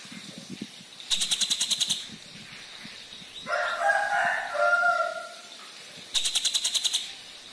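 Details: Black drongo singing as a lure to set other birds singing: two bursts of eight rapid, high, ticking pulses separated by harsh, grating, mid-pitched chatter with a brief whistle, over low background rumble.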